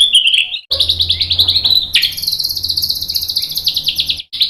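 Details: White-rumped shama, training recording for provoking replies: a short whistle, then long sustained rattling high trills with overlapping upper tones, running nearly continuously for several seconds.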